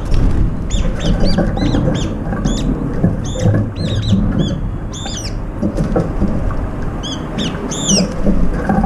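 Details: A flock of brown-eared bulbuls jostling over food, among them one bird lame in its left foot; quick arched squeaky calls come in clustered runs, some doubled, above a heavy low background rumble.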